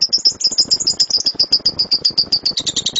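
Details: Lovebird in loud rapid 'tembakan' (shooting) style song, used as a master recording to train birds; fast string of sharp, high chirps repeated nearly four times a second, a steady rattling chatter with faint lower clicks underneath.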